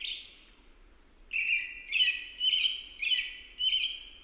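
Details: American robin song against a steady hiss of background noise: five clear, slightly buzzy whistled phrases, roughly one every half second, with the notes sliding and wavering.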